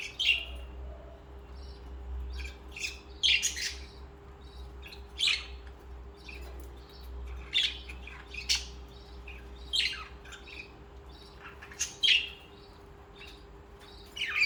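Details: Budgerigars, social pet birds kept in company, singing and chirping indoors: scattered bursts of harsh, buzzy chirps and squawky notes, irregular, with a steady low hum beneath.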